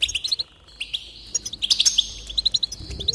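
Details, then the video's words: Goldfinch song to encourage singing: fast, evenly spaced bright chirps in runs, merging with a steady buzzy, wheezy trill, lively and continuous. "increase the enthusiasm of the goldfinch and encourage it to song"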